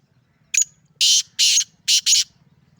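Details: A calling male Sindhi black francolin gives one brief scratchy note, then four harsh, buzzy, grating syllables, the last two closely paired, against a quiet low hum.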